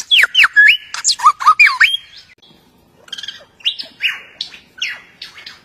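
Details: Superb lyrebird, an Australian songbird, singing while courting its mate: loud looping whistles that swoop down and up, followed by quieter buzzy notes and downslurred whistles after a brief pause.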